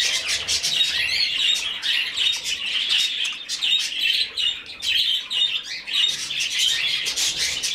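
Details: Budgerigar chick being hand-fed, giving dense, continuous high chirping and squeaky begging calls with rapid repeated bursts throughout, indoors.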